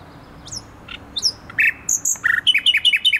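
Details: Thrush nightingale singing near the Palace of Culture and Science on 28 June 2021: sharp high whistled slurs and clicks, then a fast run of repeated descending notes about seven times in quick succession; faint low background hum.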